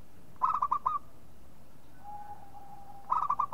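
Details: Two bursts of rapid, bubbling coo notes from a local zebra dove, five notes each, separated by a pause filled by a faint, steady, level tone.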